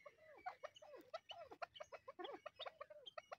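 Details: Chukar partridge pair, kept as hunting birds, calling in excitement: a rapid, rhythmic run of chuckling notes, many curving down then up, about five per second with brief gaps, clear and close.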